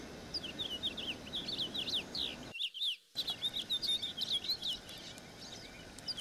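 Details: House finch singing a long, rapid warbling song of slurred rising and falling notes, interrupted by a brief silent gap near the middle, then resuming with a similar jumbled twittering run; faint hiss behind.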